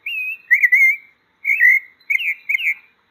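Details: Pale-breasted thrush (sabiá-poca, sabiá-branca) singing: a clear, slightly wavering whistle near one pitch, then three short warbled whistled phrases with brief gaps, no other sounds.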